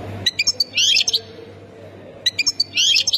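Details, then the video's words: European goldfinch from Ain Defla Province, Algeria, singing in the Khemis Miliana sector style: two short phrases of rapid high chips leading into dense liquid twittering, with a low steady hum in the background. "مقنين سكتور خميس مليانة ولاية عين الدفلى"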